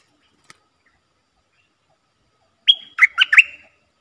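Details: Red-whiskered bulbul decoy bird calling to lure wild birds, recorded 23/07/64: after a long silence, one short phrase of clear whistled notes, a level whistle followed by three quick bubbly slurred notes.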